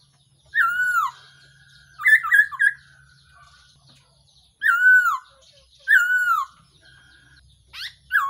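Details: Loud falling whistles from a Black-throated laughingthrush, used as a trapping decoy. They are interrupted once by a fast three-note stutter, and a faint low hum runs underneath.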